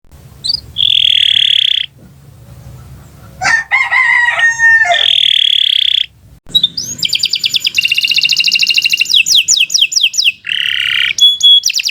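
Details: Canary singing a long, continuous song used as tutor material for training other birds: steady high whistled notes, a harsher harmonic passage, then fast buzzy trills and rapid repeated chirps.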